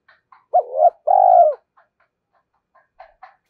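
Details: A spotted dove with a two-part ending coos to provoke wild birds into fighting: a brief dipping note followed by a longer, steady, downward-sliding hoot, then faint soft sounds.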